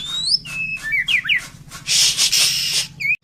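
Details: White-rumped shama singing vigorously with full fills: clear rising whistles, then a series of short slurred whistled notes, a loud harsh broadband burst lasting under a second, and a final upslurred whistle, over a steady low hum.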